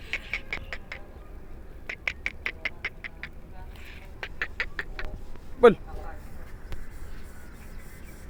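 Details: Black francolin calling in Sindh, Pakistan: bursts of harsh, rapid clicking notes in short repeated series, each series of five or six pulses, with a sharp louder crack near the end over a low background rumble.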